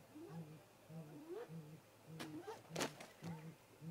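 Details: Great grey owl pair visiting their nest snag at 18:58 MDT on 13 April 2018 in late-afternoon daylight, on a remote nest camera; low hoots repeat about every half second, with a rising whistled note and sharp knocking clicks overhead.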